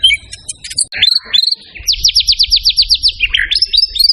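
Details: White-rumped shama (murai batu) singing a varied, loud song used for training other birds: sweeping whistles, then a rapid run of about a dozen repeated buzzy notes, ending in rising whistles, with low rumbling noise beneath.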